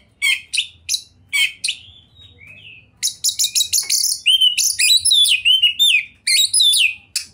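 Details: Oriental magpie-robin (kacer), a contest champion in vigorous 'gacor' song: spaced harsh chips, a soft lull, then a rapid chattering series of scratchy notes merging into bright swooping whistles.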